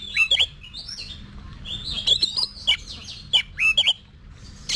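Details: Oriental magpie-robin kept for song competitions, pouring out rapid warbled phrases of twisting whistles, sharp clicks and downslurred notes, brief pauses between bursts, against a soft low hum.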